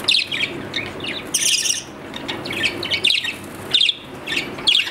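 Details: Budgerigar, a long-tailed Australian parrot kept as a pet, warbling in busy, scratchy high chirps and trills that come in close groups with brief gaps.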